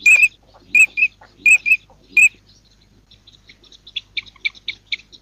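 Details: Eurasian teal calling four loud, piping whistles, each a quick double note about every second. These are followed by a softer, rapid series of high chirping notes from further off.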